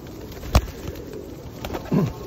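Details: Feral pigeons being fed in rainy weather at Osu Kannon temple, Japan, in 2021; one short, low coo near the end, a sharp tap earlier, all over a steady hiss of rain.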